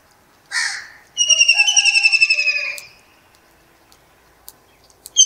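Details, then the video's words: Perched kingfisher in Pakistan, early morning, opening with a brief harsh note before a long rattling trill of quick whistled pulses that slides steadily lower over about one and a half seconds. "Kingfisher | Amazing Kingfisher bird song"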